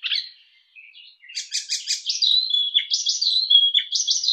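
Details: Songbird called cemblek kristal eropa singing in the rapid nembak style: high chattering and trilled notes that run into a fast, buzzy, repeated sequence of bright phrases, loud and close.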